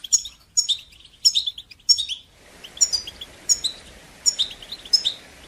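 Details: European goldfinch giving batbata and sastasa phrases to encourage singing in young birds: short bright twittered bursts repeated roughly every second, with a steady background hiss coming in partway through.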